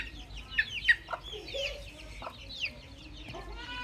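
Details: Young chicks giving a few scattered, high, piercing peeps, two strong ones early on, then fainter, softer chirps and a low murmuring background.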